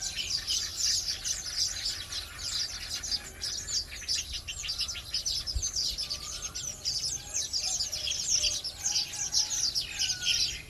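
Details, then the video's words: Weavers calling in the early morning: a dense, continuous chorus of high, scratchy chatter from many birds, with occasional lower whistled notes in the background. "เสียงนกกระจาบ ยามเช้าตรู่"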